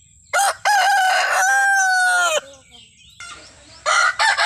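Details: Desi rooster crow: a brief opening note and then a long loud harmonic crow lasting about two seconds that dips at the end, followed by another crow starting after a short pause.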